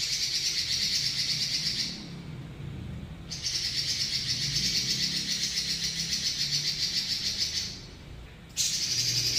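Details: Robin singing ngeroll panjang, a long rolling song: extended high, rattling buzzy trills lasting several seconds each, separated by short gaps, with a rapid even pulse; constant low hum underneath.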